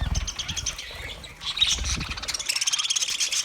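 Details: Chirping budgerigars for a lonely bird: continuous high twittering chatter with rapid stuttered notes, some low thumping noise in the first half, steady busy flock sound throughout.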